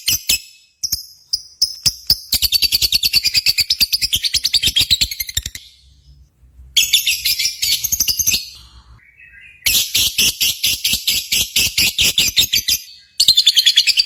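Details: Lovebirds at a singing competition, sounds used to stir pet lovebirds at home: fast, shrill chirped trills in long bursts broken by short silences, with metallic ringing notes above.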